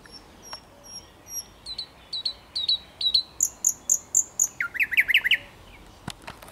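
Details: A thrush nightingale in Poland on 8 May 2022 sings a loud, varied phrase: thin high whistles, then sharp repeated chopping notes, ending in a fast rattling trill.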